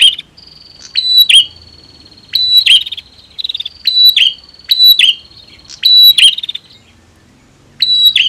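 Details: Female and male prinias calling back and forth, used to stir silent cage birds into singing: sharp, buzzy chirp bursts repeated about every second, with a thin steady high whine running underneath.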